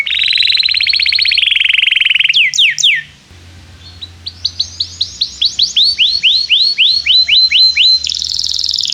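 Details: Canary song meant to prompt young canaries to learn: a buzzy trill, quick falling sweeps, a brief pause, then a series of rising whistled notes repeated rapidly before a high rattling trill.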